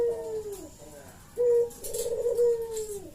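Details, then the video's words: Barbary dove used as a lure call: long, level-to-falling coo notes, one after a brief break. They are quieter and sit under noticeable background hiss. "suara burung puter gacor ini pancingan nyaut"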